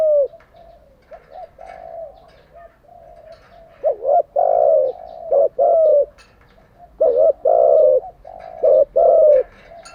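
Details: Spotted dove, a lure bird used for training captive doves, gives repeated cooing phrases of low, hollow, rounded notes, the louder coos coming in short bursts in the second half with brief pauses between them.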